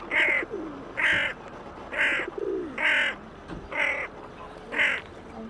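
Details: A hooded crow on the Elbe at Pirna, Germany, apparently alone among waterbirds and perhaps calling for other crows, gives six harsh, hoarse caws about one each second, with lower cooing from pigeons underneath.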